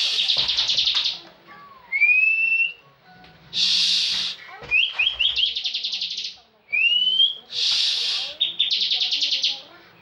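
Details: Caged bar-winged prinia, a competition bird that often wins national contests, singing in full ngebren style: a rising whistled note, then dense buzzy trilled bursts, repeated about every two seconds, with a few sharp clicks between phrases.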